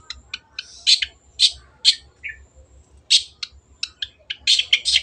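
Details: Cendet (long-tailed shrike) in active song, a lure for birds that have stopped singing: irregular bursts of scratchy, buzzy notes and short twitters, with uneven pauses between them.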